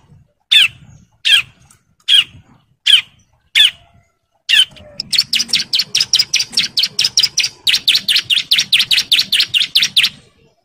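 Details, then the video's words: Bar-winged prinia, a male in breeding condition calling females: six spaced, harsh notes almost a second apart, then a long, rapid rattling run of sharp chirps delivered nonstop with emotion. "CIBLEK JANTAN BIRAHI GACOR NGEBREN MANGGIL BETINA KOLONI"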